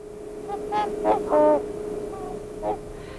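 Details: Trumpeter swans in Idaho, winter snow and ice, giving hoarse, horn-like honks, about five in three seconds, some short and some drawn out, over a steady low hum.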